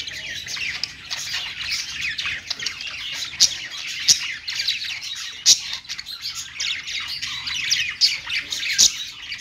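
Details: Budgies on a perch give a long, unbroken warble of fast scratchy chirrups and clicks, punctuated every second or two by sharp, piercing squeaks.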